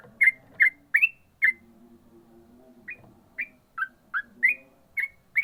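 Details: Ropel-style song of a yellow-vented bulbul: four quick clear rising whistles, a pause of about a second and a half, then eight more sharp upslurred notes at an uneven pace, with a soft low hum behind.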